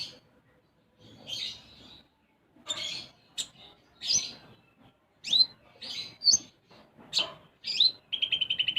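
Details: A sunbird, called konin, sings lively isian gereja phrases. Scratchy high bursts and sharp whistled upslurs come at irregular intervals, and the phrase ends in a fast, even, ringing trill.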